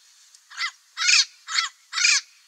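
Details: Wild turquoise-fronted parrot (Amazona aestiva), locally papagaio-verdadeiro, giving four harsh, raspy squawks in about two seconds; short and long calls alternate, each a broad, grating burst with wavering overtones.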